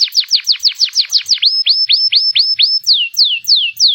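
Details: Local Panda canary song made of repeated downward-sweeping whistles, then a run of upward-hooked notes, and slower falling slurs spaced about every third of a second.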